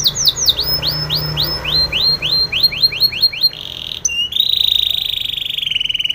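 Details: A Spanish Timbrado canary delivers a training song of quick, repeated downward-sweeping whistles at about three per second, then switches to a sustained, rolling high trill.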